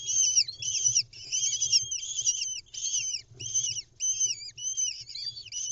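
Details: Lesser kestrel nest in Israel, 10 May 2021, while the mother delivers a mouse: shrill squealing notes that bend downward, run together in bursts roughly twice a second with short gaps, over a soft low hum.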